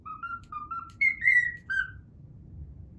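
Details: Pet cockatiel whistling a learned tune, the Pythagora Switch opening theme: a short run of clear whistled notes, with a few lower notes followed by higher, slightly falling ones, over a faint low hum.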